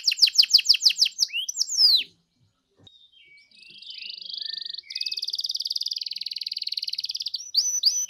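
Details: Canary song used to provoke another canary into singing 'gacor': a quick high trill and falling sweeps, then a pause of about a second, followed by soft slurred notes building into a long buzzy trill.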